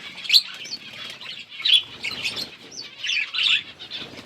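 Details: Budgies at their food give soft warbling chatter with a few sharper chirps spaced through it, all fairly quiet and unhurried.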